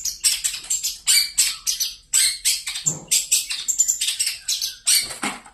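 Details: Long-tailed shrike singing in full voice: a string of sharp, very high, scratchy notes and short chattering bursts, each strongly accented then fading, coming roughly two to three per second.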